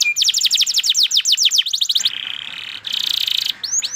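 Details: Pet canary singing: quick series of downslurred whistled notes, about four per second, then a sustained buzzy rattling trill and two rising slurred whistles.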